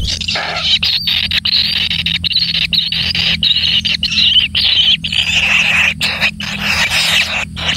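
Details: One kingfisher chick fed with lots of food: harsh, raspy, buzzy calls in long stretches broken by brief gaps, loud and noisy over a faint low hum.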